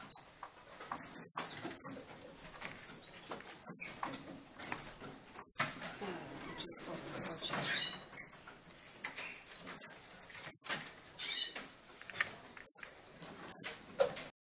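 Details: Rescued juvenile European bee-eater from Hortobágy, Hungary, fledged days earlier, with a broken left wing, hand-fed insects from tweezers in August 2014; thin, very high begging notes in bursts about every second, handling rustles and clicks.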